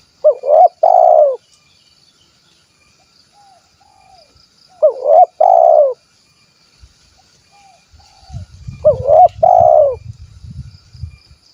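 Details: Spotted dove of the 'kuk 1' style from Cilacap, Central Java: three low, throaty coo phrases about every four seconds, each a short rolling coo then a longer hollow one, with quiet gaps and a low rumbling noise near the end.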